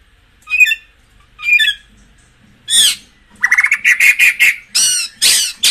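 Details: White-rumped shama singing, used to stimulate caged birds: two short scratchy phrases, then a loud run of harsh, rapid notes with a steady warbling tone, ending in broad raspy bursts.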